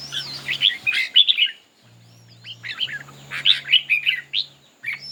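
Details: Red-whiskered bulbuls in a singing contest with display. Two loud bursts of fluty, tumbling warbles separated by a near-silent gap, with a low hum in the background.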